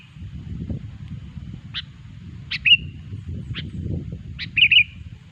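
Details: Sooty-headed bulbul song for luring bulbuls into traps: two brief bubbly warbles among irregular sharp clicks, over a rumbling, uneven low background noise.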